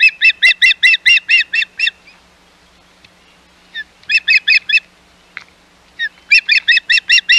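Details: At the Hog Island osprey nest on 11 May 2021, with intruding birds around, an osprey gives three bursts of rapid, ringing whistled chips, broken by brief pauses and a few lone softer notes.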